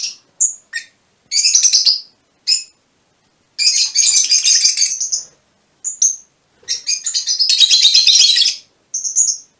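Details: Fischer's lovebirds of a mutation colour form give short high squeaks and bursts of rapid, shrill chattering, separated by brief silences.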